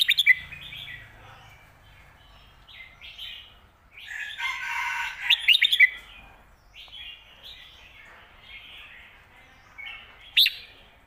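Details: Red-whiskered bulbul song in the phat kuai tiao and khayao khuat styles, used for teaching birds at home; three short, bright, quickly chirped phrases spread across the recording, with softer warbling and faint background chatter between them.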